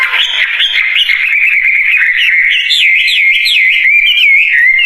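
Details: Wambie bird in steady song. A continuous run of bright whistled notes swings up and down in quick wavy loops, growing more regular toward the end, with no other clear sounds.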